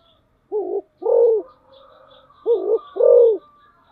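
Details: Spotted dove used as a decoy bird, giving paired coos: a short notched note followed by a longer arched hoot, low and mellow, two pairs in about four seconds; faint higher twittering in the background.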